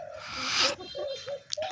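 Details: A young spotted dove, five and a half months old, kept as a decoy bird and just starting to call, gives a few short, low, soft coo notes in quick succession after a burst of broad rustling noise.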